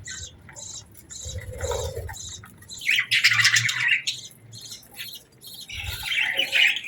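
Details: Budgerigar chatter in the morning: soft, rapid ticking notes, then loud, buzzy squawking warble bursts in the middle and at the close, over a low steady hum.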